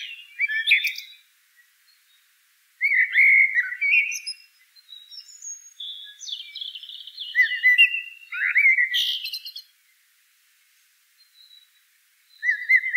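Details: Eurasian blackbird song in repeated bursts: rich, flute-like warbled phrases separated by pauses of a second or two, each ending in thin, high squeaky notes.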